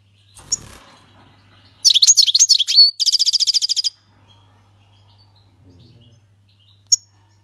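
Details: Syrian goldfinch singing the flawless 'king's language' song; a short chirp, then a rapid twittering phrase running straight into a fast even trill of about fifteen repeated notes, ending in a lone high chip.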